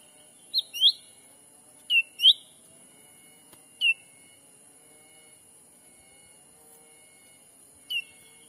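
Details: Lure call of a black-capped bulbul, used in Sumatran forest to draw in wild birds. Sharp whistled notes come in pairs and singles at irregular gaps, some slurring upward, others dropping, over a constant thin electronic-sounding tone.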